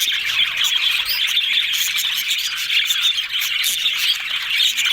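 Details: Happy yellow budgies talking together: an unbroken busy mix of high chirps, squeaks and warbled notes from several birds, steady in loudness throughout.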